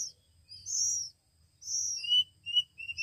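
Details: Oriental magpie-robin chicks a week old, being hand-fed, give two drawn-out high begging squeals followed by short thinner chirps.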